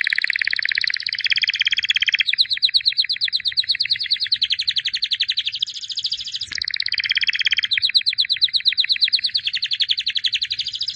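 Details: Long song by a white albino canary, a 2017 champion: dense buzzing rolls alternate with long, even, rapid trills of bright pulses, switching style several times over eleven seconds.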